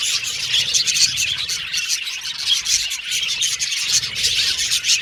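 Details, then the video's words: Happy pet Australian budgies chatter and whistle together. Dense, overlapping high chirps pulse steadily throughout, over a faint low background hum. "Australian Budgies Birds Singing & Chirping Sound"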